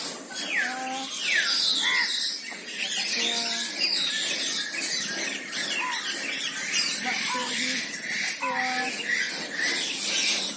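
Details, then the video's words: Red-breasted parakeet chatter: grating squawks and sliding shrieks pour out almost continuously from several birds, overlaid by short, stacked, lower-pitched nasal notes repeated every second or two. "Suara Kicau Burung Betet/Bayan Biasa"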